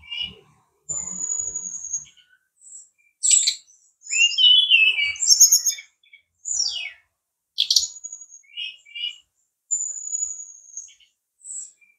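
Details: Brown-chested jungle flycatcher, locally called sikatan rimba dada coklat, from Bali, singing clear high whistled notes, long level whistles alternating with rapid slurred falling trills and short chirps, separated by brief pauses.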